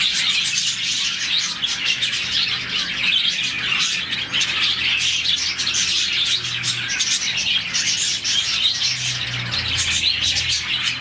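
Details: Happy morning chirping from a colony of about 40 budgerigars; constant overlapping twitters and clicks from many birds, with brief louder squeaks and a low hum in the background.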